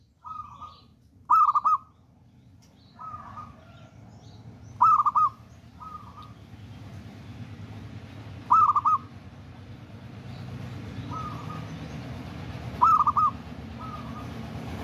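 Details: Zebra dove of local wild stock giving short, loud bubbly coo phrases about every three to four seconds, with softer coos in between, over a steady background hiss and rumble.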